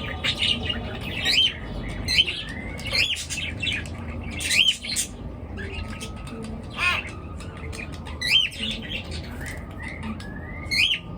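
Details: Morning bird chirping, busy and overlapping: sharp rising chirps and harsh squawky bursts repeat roughly every second, over a constant faint low hum.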